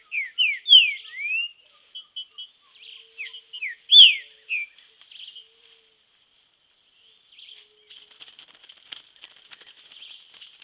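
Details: Green-winged saltator training in nature, giving a run of loud downslurred whistled notes, one strongly accented, then falling quiet before a soft, rapid chattering twitter.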